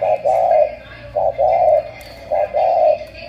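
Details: Cooing of a Cà Mau spotted dove, called 'tú', in Vietnam: repeated paired notes, short then sustained and mellow, three phrases at roughly 1.2-second intervals over a low room hum.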